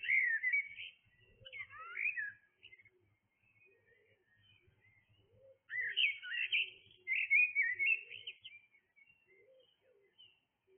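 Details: Blackbird singing in the early hours of the morning, two bursts of rich, fluting and warbled phrases with quick twittering ends, separated by a few seconds of near silence; a quiet, low background murmur.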